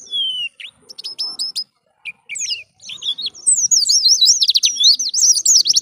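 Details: Indonesian white-eye in full 'ngalas' wild-style song, meant to lure other white-eyes: opening high thin whistled notes and buzzy phrases with brief pauses, then a rapid, continuous zigzagging twitter, very high-pitched and fast-trilled.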